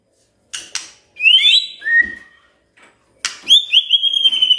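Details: Lure song of a magpie-robin meant to set a silent bird singing: a couple of sharp clicks, then clear, rising whistled notes, a lower sliding whistle, and after a gap a long, bright, warbling whistle held to the end.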